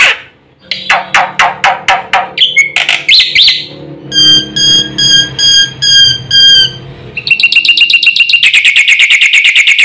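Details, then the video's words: Black-winged myna in fast, full song for luring silent mynas into singing: harsh rasping bursts, then metallic tonal notes pulsed about twice a second, ending in a rapid chattering trill. "suara masteran jalak putih gacor full isian cepat untuk pancingan burung jalak macet bunyi"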